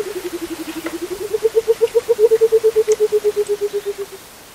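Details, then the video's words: A Burchell's Coucal, out in the open on a misty morning near Crocodile Bridge in Kruger National Park, gives a rapid, deep, bubbling run of hollow hoots that dips slightly, rises, then slowly falls away over four seconds. "Burchell's Coucal (Centropus burchellii) Bird Call"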